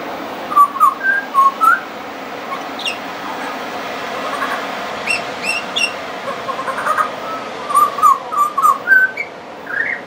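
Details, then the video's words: Friendly pied butcherbird singing at length, rich fluted whistles in short phrases of four or five notes repeated after pauses, with mimicry included; faint higher chips and steady background hiss. "Pied Butcherbird wouldn't shut up"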